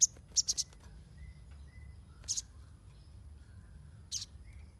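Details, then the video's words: Ruby-cheeked sunbird chattering as a lure for untrained birds: a fast burst of four high, sharp chirps, then a double chirp and a lone note, with faint soft whistles from other birds in the background. "SOGON NYERECET !! Pancingan untuk burung bahan"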